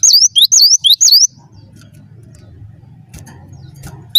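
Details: Gelatik batu in full gacor song, four clear, high two-note whistles in rapid succession, then near silence with a soft low hum and a single note returning at the end.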